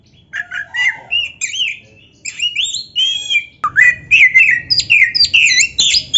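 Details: Oriental magpie-robin song, played so caged kacer hear a singing rival and respond: rich whistled slurs, rising sweeps and quick chips, growing louder and denser toward the end.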